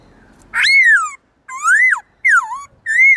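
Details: Black-throated laughingthrush, a kept bird trained in forest-style song with many voices, used to spur wild-caught birds to sing: a long ringing downslurred whistle, then three shorter looping whistled notes after clear pauses.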